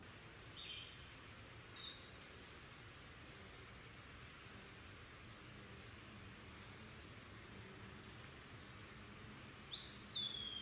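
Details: Eastern wood-pewee (Contopus virens) singing thin, slurred whistles: a two-part phrase, a long pause of several seconds, then a single drawn-out falling note, over a faint steady hiss.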